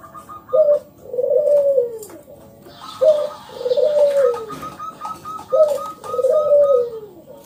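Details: Local zebra dove in full song, meant to prompt other doves to sing: three phrases, each a short, sharp coo followed by a long, falling, purring note, plus faint, higher rolling notes behind.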